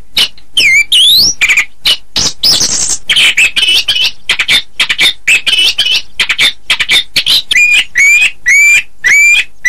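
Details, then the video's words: Chestnut-capped thrush in sustained song, with fast, varied notes about twice a second: swooping whistles, rattling bursts and a run of bright, rising slurred whistles near the end. "Suara Burung Anis kembang"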